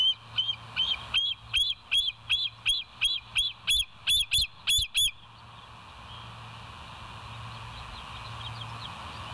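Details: Bald eagle on the West End nest cam, 26 September 2023, 07:01; some fourteen shrill whistled notes repeated quickly and evenly for five seconds, then silence apart from a steady rushing background and faint low hum.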